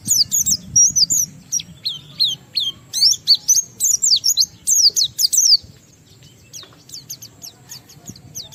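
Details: Oriental white-eye singing to provoke other white-eyes into song, with a long series of loud high downslurred whistles and rapid twittering for over five seconds, then only faint distant chirps.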